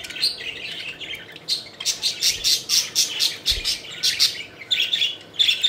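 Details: Flying, playful pet budgies give rapid, rhythmic, scratchy chirps in a lively chattering warble at about one burst per second, with a couple of soft thumps.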